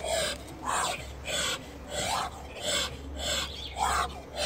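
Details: Young Muscovy drakes of a chocolate German show line give breathy, rasping hisses, about one and a half per second in an uneven rhythm, over a low steady hum.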